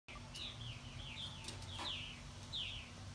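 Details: Purple martins mobbing a Cooper's hawk that is attacking a plastic decoy martin at their house give sharp, slurred chirps about once a second, rising and falling in pitch, over a steady low rumble of wind or traffic.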